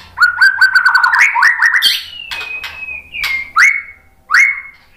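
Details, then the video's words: A white-rumped shama's song, played to prompt other shamas to answer: a quick run of repeated slurred whistles with high ticks, then several long, clear, level whistled notes, over a faint low hum. "OCEHAN MURAI BATU MEMANCING BUNYI jadi NYAUT GACOR"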